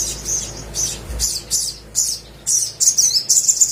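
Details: Sunbird, known locally as sogok ontong, in energetic 'gacor' song used as a lure to prompt quiet birds to sing: short bursts of high, thin chirps and twittering trills, roughly two per second, with brief pauses between them.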